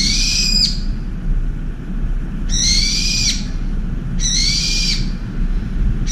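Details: Angry brown-eared bulbul at a window feeder, shrieking to drive off an oriental turtle dove: harsh, piercing screeches about half a second long, three in six seconds, over steady low background rumble.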